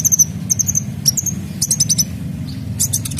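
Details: Sunbird known locally as kolibri dacok, singing its full 'isian' to stimulate other birds: repeated very high twittering bursts, each ending in a thin level whistle, about every half second, over a low rumbling hum.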